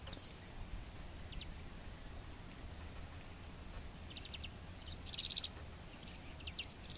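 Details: European bee-eater preening on a branch in the province of Ávila, Spain. It gives short, rolling, trilled notes, the loudest burst about five seconds in, with other fainter trills scattered throughout over steady low background rumble.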